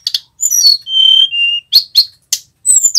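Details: High thin whistles from a male mountain flowerpecker, a lure for training birds: a couple of sliding notes, two steady held whistles dropping slightly, then several short sharp chirps.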